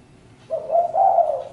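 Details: A spotted dove gives a single low, hollow coo phrase, two joined notes with a brief dip between, steady in pitch and quiet around it.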